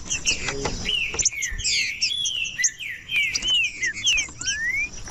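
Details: Song of a trinca-ferro (green-winged saltator), meant to warm up cold birds kept for tournaments: rich, warbling whistles running together, ending in two clean rising whistles, with a continuous high hiss underneath.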